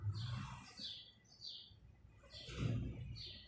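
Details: Sparrows chirping in the early morning: short, bright, downslurred chirps in quick pairs, about four in three seconds, over soft low voices.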